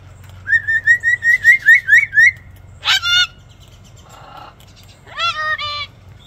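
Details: A female Moluccan (salmon-crested) cockatoo, a rescued bird, performs her self-developed act: a quick run of about nine rising whistled notes, then a harsh squawk and a short, wavering nasal call.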